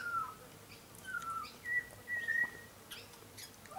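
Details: A young butcherbird, still lighter black and very tame, visiting a garden, sings pure drawn-out whistles, each phrase level or gently falling, spaced about half a second apart.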